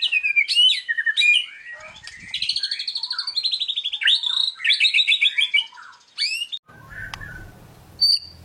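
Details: Competition white-rumped shama (murai batu) from Indonesia pouring out varied imitative song to train other birds. Tumbling warbles and rapid rattled trills flow continuously, then a low rumble and a few isolated high notes close.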